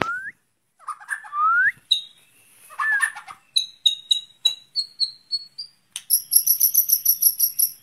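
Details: White-rumped shama singing in an outdoor cage to train its breathing: varied song of rising slurred whistles, rapid clicks, then a series of high sharp notes and a fast, even repeated chatter at the end.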